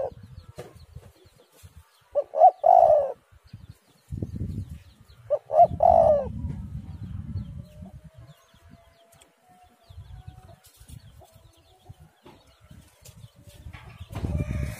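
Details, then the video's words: Lure recording of a spotted dove: two coo phrases, each short rising notes leading into a long sustained coo, about three seconds apart, followed by a stretch of low rumbling noise and faint sounds. "tekukur super gacor suara burung derkuku"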